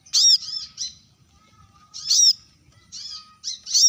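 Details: Shrill rival-calling of a brown-throated sunbird: loud, high, buzzy chips with softer follow-up notes, in bursts about two seconds apart, and a faint low hum between.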